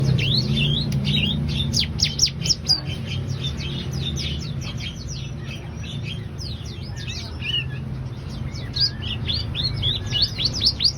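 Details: Scarlet-headed flowerpecker singing actively: rapid, dense series of thin, high chirps and short rising and falling notes, about two per second, with a steady low hum underneath.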